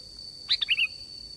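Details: Sooty-headed bulbul phrase used as a trapping lure; a brief run of four bright, liquid notes, the last two slurred and slightly lower, over a steady high electronic tone.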